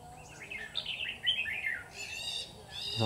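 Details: Caged decoy red-whiskered bulbul in a trap, luring wild birds: a rolling, slurred warble that is followed by harsh, rasping notes, with faint background hiss.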